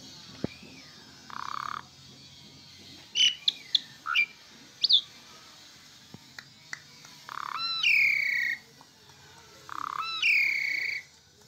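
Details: Asian pied starling in full song: short clicks and chirps, a brief rising whistle, then two longer phrases, each a raspy buzz leading into a bright sustained whistle that slides slightly downward.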